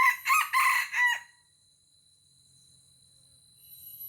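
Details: Wild red junglefowl from Aceh, lured by a decoy rooster and fighting it fiercely, gives a loud crow of four rapid harsh pulses in about one second, followed by near silence with faint insect hiss.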